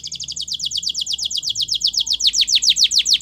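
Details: Training song of a canary: one continuous run of rapid repeated high notes, about six per second, that gradually lengthen into sharper descending strokes, steady and loud throughout.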